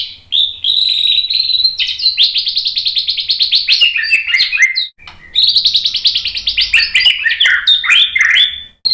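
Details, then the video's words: High, rapid trilled phrases from a white-rumped shama, played to provoke a reply: two long bursts of fast chattering notes, each stepping down in pitch at the end. "MASTERAN MURAI BATU biar ikut EMOSI NYAUT GACOR BONGKAR MATERI TEMBAKAN ¦ PANCINGAN MURAI"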